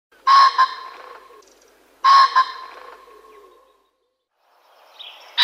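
Common pheasant giving two loud, harsh double-noted crows, about two seconds apart, each fading into a soft echoing tail; a brief higher sound ends the clip.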